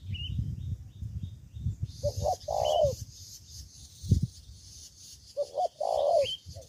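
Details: Ground-fighting decoy spotted dove in Ca Mau, Vietnam, giving two full coo phrases several seconds apart, each rising into a long mellow note, amid scattered high chirps and a sharp knock.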